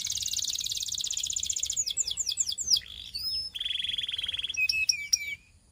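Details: A Belgian canary sings a dense, very high rapid trill, switches to sharp slurred notes, then a steady lower buzzy trill, and finishes with a few quick chips.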